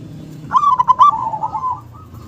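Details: Zebra dove, a local bird, delivering a powerful song with a sharp "KUNG". A single phrase of quick stuttering coos flows into a long, slightly wavering held note over a low background rumble.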